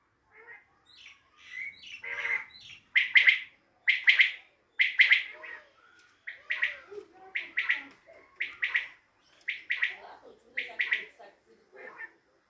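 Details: Common quail from Tajikistan, used to train quail enthusiasts' birds, giving sharp, clipped, liquid notes in quick bursts, roughly one a second, over about twelve seconds; faint voices behind.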